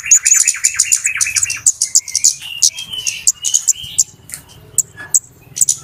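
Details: Noisy flowerpecker chatter meant to lure birds for trapping: loud, dense strings of piercing high tsip notes over a rattling lower trill, then scattered sharp ticks and short buzzy slurs.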